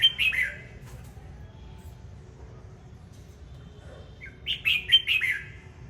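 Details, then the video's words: Red-whiskered bulbul singing while dancing: a bright warbled phrase of sliding whistled notes opens, a pause of steady low background rumble follows, then a second phrase of four quick rising-falling notes comes near the end. "Chào mào hót múa"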